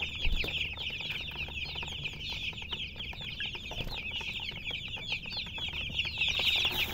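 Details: Hens chirping busily: dense, high, short peeping notes tumble over one another several times a second, growing louder toward the end, over a faint low hum.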